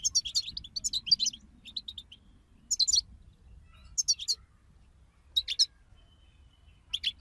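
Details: European goldfinches in chorus, used to prompt a goldfinch to sing: an opening rapid twittering run, then separate short bursts of sharp, bright chirps every second or so, with a faint low hum behind.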